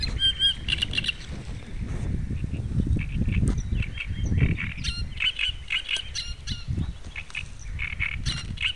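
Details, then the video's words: A great reed warbler sings in harsh, croaking bursts of repeated grating notes, with a heavy low wind rumble and other bird calls beneath. "тръстиково шаварче , Great Reed Warbler"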